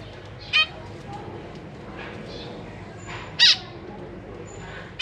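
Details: Zebra finch family kept in a cage, parents busy feeding three juveniles and three new young, May 2023: three short, nasal, harmonic call notes spaced a few seconds apart over quiet background hiss.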